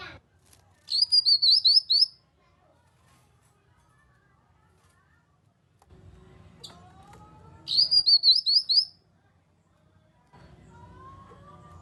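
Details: Grey-cheeked bulbul (kinoi) lure sound, played to coax quiet birds into singing back: two high, rapid warbled whistle phrases about a second long, spaced roughly six seconds apart, over a faint low hum.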